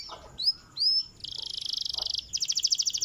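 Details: Canary song: two high upslurred whistles, then a fast buzzy trill of rapidly repeated notes, followed by a second, slightly higher rattling trill.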